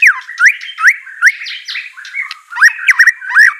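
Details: White-rumped shama song used as a training track to get a reluctant bird to sing: rising whistled notes and quick upslurs mixed with harsh squawky bursts, phrases repeating about every half second.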